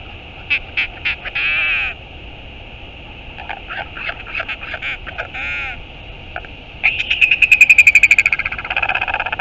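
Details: Northern royal albatross at a New Zealand nest, 11 March 2022, with one adult returning and the other leaving: loud harsh pulsed bursts, a pause, more chattering notes, then a long, rapid, strident rattle, with wind throughout.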